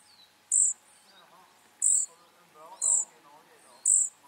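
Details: Flycatcher chicks giving four sharp, very high squeaky notes at about one-second intervals, accompanied by quieter, lower warbling sounds.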